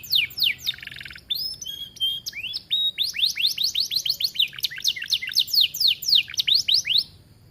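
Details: Lively gacor canary song from an aviary, fit for tutoring other canaries: quick falling whistles and a dense buzzy roll, followed by a long evenly paced string of sharp sweeping chirps, about four per second.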